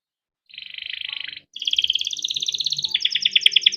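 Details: Canary rolling ngerol song for stimulating young or reluctant singers: a rapid buzzy trill, brief pause, then continuous fast pulsed rolls stepping upward in pitch, high and bright, with soft low background noise.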